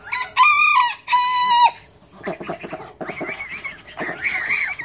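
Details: Japanese Bantam rooster, a small, docile breed, crowing: two loud, drawn-out harmonic notes fill the first second and a half. Softer rustling and chattery sounds follow.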